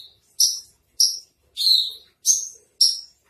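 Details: Masteran song of a spotted 'trotol' Javan bush lark: a string of five bright, high chirps with a downward slur, one roughly every half second to two thirds of a second. The background is silent.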